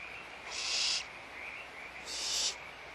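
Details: Barn owls in a nest at Audubon Starr Ranch Sanctuary at feeding time, recorded March 2011 on a nest camera; two broad, harsh hissing screeches about half a second long, spaced about 1.5 seconds apart, over a steady background hum.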